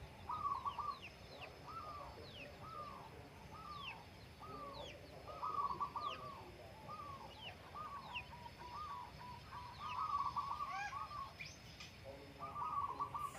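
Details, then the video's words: Zebra dove in full morning song on the slopes of Menoreh, near farmers eating breakfast: a long run of soft, bubbling coo phrases roughly every second, with scattered high downslurred chirps of other birds behind. "bunyi burung perkutut"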